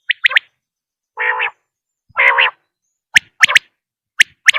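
A quail gives sharp, high, clipped notes in quick pairs and triplets, broken by two longer, lower, nasal buzzy bursts. Nothing else is heard.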